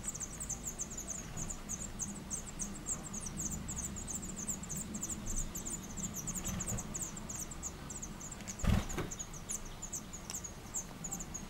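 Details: Black redstart pair, female and male, jointly feeding caterpillars to two five-day-old chicks in a nest at Collado Villalba in 2018; thin, high chirps repeat rapidly in a steady run, over a low background hum and one sharp knock.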